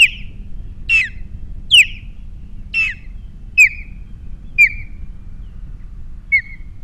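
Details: Nest-cam recording from Captiva, 21 February 2022, of an adult osprey with three chicks: a series of seven piercing whistled chirps, the first ones harsher and buzzier, later ones clean down-slurs, spaced irregularly over low background rumble.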